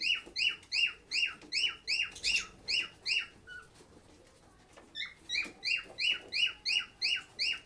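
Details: Chirping lovebird, kept at a shelter for sick birds: loud, shrill, descending chirps repeated almost three times a second, broken by a short quiet gap, then the same rapid series again.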